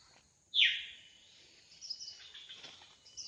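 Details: Wild drongo, singing actively: one powerful, sharply downward-sweeping whistle, then a stretch of softer high scratchy chatter that builds toward the close.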